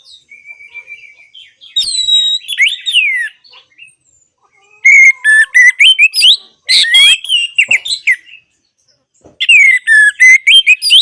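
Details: Orange-headed thrush song used to coax silent, non-singing birds into song. Loud, rich, varied whistled phrases come in bursts, with swooping slurs, fast rattling runs of sharp notes and high thin squeaks. Brief pauses separate the phrases.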